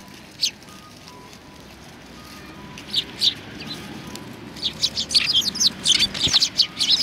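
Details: Sparrows gathering to be fed at a Tenmangu shrine on 25 November 2020; a few isolated chirps early, then a lively cluster of overlapping tweets building toward the end.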